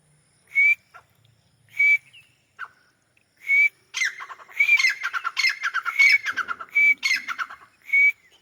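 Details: Grey francolin (white teetar) calling from a wall in Pakistan. Short, piercing whistled notes repeat about once a second, building into a loud, rapid chattering run of harsh notes before the single whistles resume.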